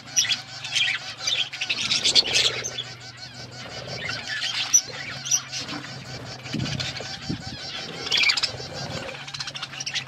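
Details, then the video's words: Pet budgies eating food, keeping up a dense high chattering of rapid, scratchy chirps and warbles that rise and fall in loudness throughout, over a steady low hum. "budgies chirping sounds"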